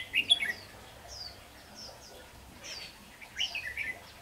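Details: Trapping decoy red-whiskered bulbul, a cheerful whistled phrase, quieter chirps from other birds, then a second lilting phrase.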